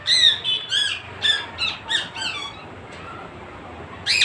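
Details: A talking parrot indoors in a small room, giving a run of short harmonic squawky vocalizations, speech-like bursts in quick succession over about two seconds, then quiet and one more loud burst at the end.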